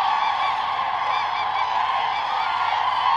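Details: A great flock of migrating common cranes at Lake Hornborga in Sweden at sunrise, heading towards land. Loud overlapping honks and bugling cries form a thick, steady wall of sound throughout.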